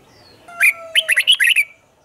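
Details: A caged red-whiskered bulbul sings a doubled song meant to teach young birds. A single sharp note comes first, then a fast burst of five or six fluty, bubbling notes.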